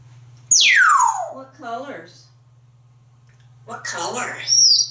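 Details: A pet African grey parrot in a bathroom, courting and dancing with a towel, gives a loud, clear downward-sweeping whistle, then softer warbling chatter, then a burst of harsh, noisy notes ending in a high squeak.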